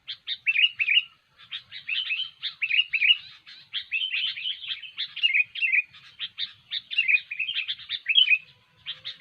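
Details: Sooty-headed bulbul in steady, vigorous song meant for luring and trapping birds. Dense, scratchy chattering alternates with brighter warbled flourishes. The phrases follow each other almost without pause across the whole stretch.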